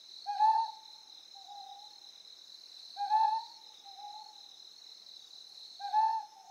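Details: Ryukyu scops owl on Amami Oshima, Japan: a clear, hollow hoot followed about a second later by a softer, lower hoot, the pair repeated roughly every 2.7 seconds, over a steady high insect chorus.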